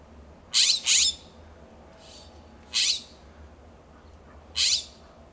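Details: California scrub-jays calling back and forth in a backyard in Pacific Grove, California, perched on a fence, coast live oak and Monterey cypress; loud harsh rasping notes, a quick pair then two single calls spaced about two seconds apart.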